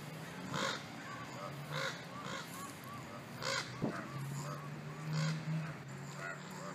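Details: Ravens, two pairs fighting: harsh, hoarse calls in irregular bursts about every second, each a broad, rasping note, over a steady low hum in the background.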